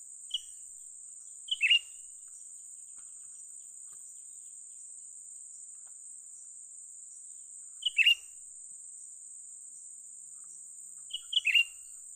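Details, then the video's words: Young bulbul heard during bird trapping: short, sharp chirped phrases of a few rapid notes, rising then dropping, spaced several seconds apart, over a steady high insect-like hiss. "memikat burung cucak ranting muda mantap"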